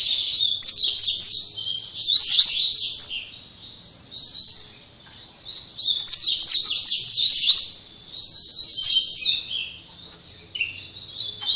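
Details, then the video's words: Caged double-collared seedeater in Jaboticabal, São Paulo, Brazil, delivering its Máquina song in late afternoon following a day of singing; energetic high twittered phrases of a few seconds each, separated by short gaps. "Coleira cortando canto Máquina (Final de tarde depois de dar show dia inteiro)"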